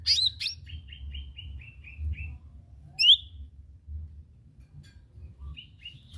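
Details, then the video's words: Lesser green leafbird song used as a lure recording: a sharp high chirp, then a run of short, slightly falling whistled notes, one louder upward-sweeping note, and a few scattered chirps later, over a low steady hum. "Kicau ijo mini ndeso"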